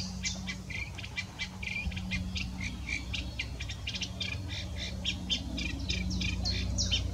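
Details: Eurasian reed warbler singing at Zellsee, Weilheim district: a continuous, rapid, chattering stream of scratchy and churring notes, some phrases repeated two or three times, over a steady low background hum.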